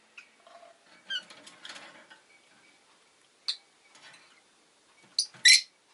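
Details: Pet rosy-faced lovebird making chattering, scratchy chirps, with one sharp squeak midway and a burst of loud, harsh shrieks near the end.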